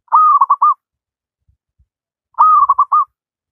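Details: Wild local zebra dove in active song, used as a master recording to train lazy doves to sing: two cooing phrases, each a held note breaking into three quick stuttered notes, about two seconds apart.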